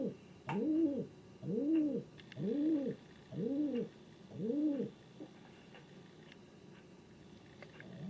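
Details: King pigeon, a domestic pigeon breed, giving five low, arched coos about one per second, each rising and falling smoothly, followed by a few seconds of quiet with faint clicks.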